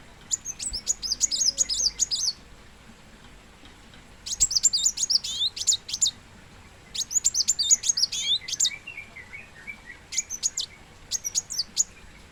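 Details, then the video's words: Plain sunbird, known locally as kolibri muncang or kolibri wulung in Indonesia: five bursts of very high, rapid, sharp twittering notes, each about two seconds long and separated by pauses, with a few softer lower chirps in between. "Kolmun ( Kolibri Muncang ) / Kolibri Wulung"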